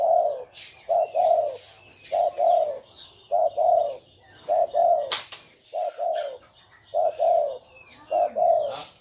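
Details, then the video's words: Spotted dove cooing, from a compilation of fine cooing voices: soft, low, hollow coo phrases of two or three notes, repeated steadily about every second, with faint chirps of other birds and one sharp click. "Tiếng chim cu gáy có giọng gù hay nhất"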